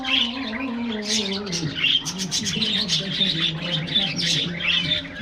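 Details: Aviary budgerigars at morning treat time keep up busy, overlapping high chirping and twittering in bursts, while a low wavering tonal line and background hum run underneath throughout.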